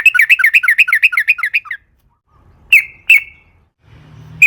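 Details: Sooty-headed bulbul in lively wild-style song used as a lure to make other bulbuls sing: a fast rolling run of bright chirps for under two seconds, then silence and two separate sharp notes.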